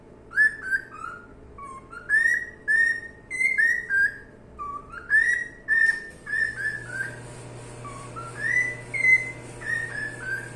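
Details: Cockatiel singing a long series of short whistled notes, rising slides and level tones in quick uneven succession, softening toward the end while a steady low hum grows stronger.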